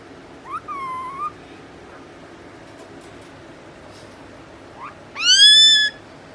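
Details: Angry four-month-old rose-ringed parakeet kept as a pet: a rising whistled note slurring into a level tone, a quiet gap of several seconds, then a loud, rich, harmonic upward-sweeping call held for nearly a second, over soft room noise.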